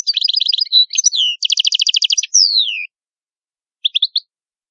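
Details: Italian goldfinch song with bright chattering twitters, a short buzzy tone, a rapid rattling trill, and a drawn-out note sliding downward. A pause follows before a few quick chirps, with a clean, quiet background.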